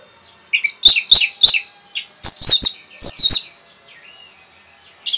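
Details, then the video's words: Kept Orange-headed thrush in rapid 'rapet' song aimed at provoking other birds: groups of three and four sharp, slurred high notes with short pauses, then a few faint quiet twitters. "SUARA RAPET ANIS MERAH BIKIN EMOSI BURUNG"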